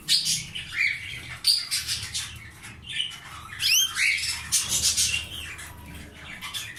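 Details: Caged canary breeding pair that has laid eggs: bright, squawky chirps and short rising and falling whistled notes come in quick bursts over a steady background hiss.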